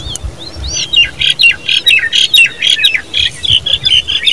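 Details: Common babbler babies calling: harsh, squawky notes repeated rapidly, about two per second, in uneven bursts, with a little low background rumble.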